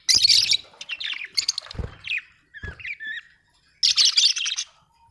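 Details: Budgerigar, described as Australian, giving harsh buzzy chirps mixed with short whistled warbles, ending in a loud scratchy burst, with a few low knocks.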